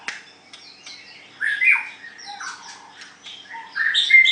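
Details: White-rumped shama (murai batu) singing during a contest of song strength: a varied run of clear whistled notes, sweeping slurs and short sharp chips, quiet at first, then louder phrases and rising whistles near the end.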